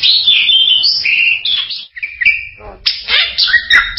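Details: Bali myna giving loud whistled and harsh calls, long flat whistles around mid-high pitch, then a gap with rasping notes and a burst of mixed chattering whistles.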